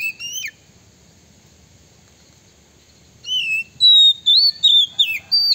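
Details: Oriental magpie-robin singing to lure and anger rivals: a short whistled slur, a long quiet gap, then a rapid series of bright, looping whistled notes.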